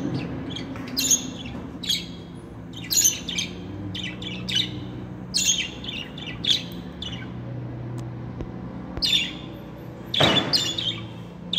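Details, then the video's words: Talking pet budgerigars give clustered bursts of bright chirps and warbled squawks at irregular intervals, with a brief broadband click near the end over low indoor hum. "KONUŞAN MUHABBET KUŞLARI ÖTME SESİ"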